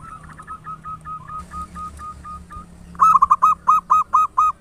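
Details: Big-voiced local zebra dove singing as a lure to spur other doves into song. A soft run of short, even notes leads into six loud, rhythmic, rolling coos, roughly two per second, over a low hum.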